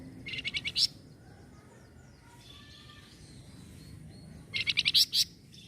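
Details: A flamboyan bird, described as replying straight away to noisy sounds, gives two fast, harsh, stuttering rattles at either end, with faint thin whistles in the quiet gap between.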